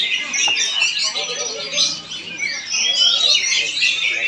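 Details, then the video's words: Oriental magpie-robin from Palangkaraya, Central Kalimantan, Indonesia, singing a rich, rapid medley of sharp whistles, buzzy trills and chattering notes that dips briefly in the middle, over a low murmur of human voices. "PENAMPILAN APIK KACER"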